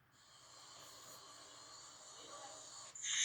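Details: Barn owl (Tyto alba) gives one long, harsh, hissing screech that holds steady for nearly three seconds, then ends in a louder rasping burst.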